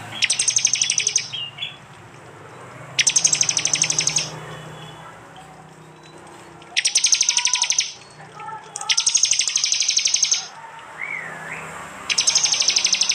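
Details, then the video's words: Prinia recorded on an Android phone in East Java, part of a blended prenjak and jali training track. Five long bursts of very rapid, shrill ticking trills come at irregular intervals, with soft whistles between them. "masteran Tembakan prenjak jali keras"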